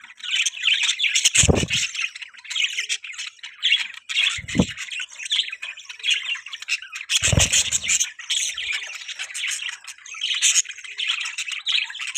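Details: Budgerigars kept as pets, chirping and squawking in a dense, unbroken chatter of raspy warbles, with occasional low knocks or bumps.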